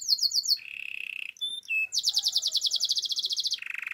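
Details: Russian canary singing a chain of tours: rapid high chirps, a flat buzzy trill, two pure piping whistles, then a long fast rattling trill ending in a lower buzzy roll.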